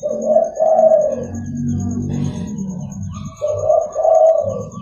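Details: Zebra dove of a local type calling in the morning to lure and train other doves: two bright, rolling coo phrases about three seconds apart, with low murmuring between them and a constant thin high whine.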